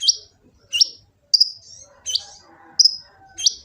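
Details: Kolibri ninja sunbird, Gresik, East Java, used as lure and tutor song: sharp, high chip notes roughly every two-thirds of a second, each trailing a brief buzz, with a soft murmur underneath.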